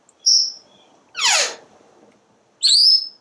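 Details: Parrot vocalizing from a screened back porch, watching squirrels and birds; a thin high whistle, then a raspy sweeping note that falls steeply, then another high rising whistle.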